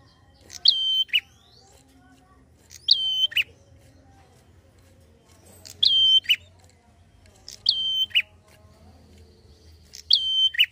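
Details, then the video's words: Prinia song aimed at provoking other prinias: five loud phrases about two seconds apart, each a sharp high note, a flat sustained whistle and a lower buzzy tail, over soft low hum. "Prenjak Gacor ngalun cepat pancing emosi prenjak bahan"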